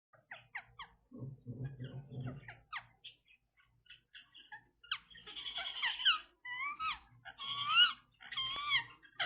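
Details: Pet Indian ringneck parrot vocalising indoors: soft clicks and chatter, a low grumbling stretch, then louder whistled and squawky notes, some with wavering, bending pitch, against a faint low hum.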